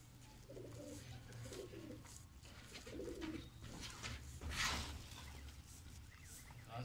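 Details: Low throaty cooing from loft pigeons kept by a fancier who has painted their feathers, two rolling phrases early on, then rustling and a sharp scrape amid steady background hum.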